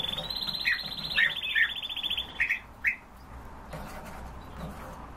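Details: Eurasian bullfinch in sunshine calling with brief, soft, downslurred piping notes about five times in three seconds, over a long, high, rapid trill from another bird in the first two seconds and a constant background hiss.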